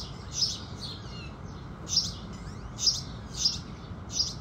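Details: At sunrise, house sparrows give clipped, high-pitched chirps: a couple early, a pause, then four more at roughly even spacing, set against a continuous faint hiss.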